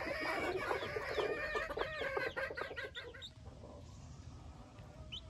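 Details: Newborn Silkie chicks, 24 with 4 hens, venturing outside for the first time; crowded high peeps that fade after about three seconds into quieter background.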